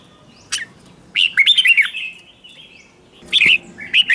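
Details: Lure red-whiskered bulbul calling wild birds in: a single sharp note, a rich run of five or six sweet, looping whistles, a pause, then two shorter cheerful phrases.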